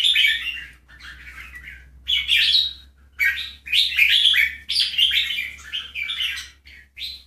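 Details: Bulbul song from a Keke jambul and Golden Voice jambul comparison: a series of emphatic, rich warbled phrases with quick twittering notes, over a steady low hum.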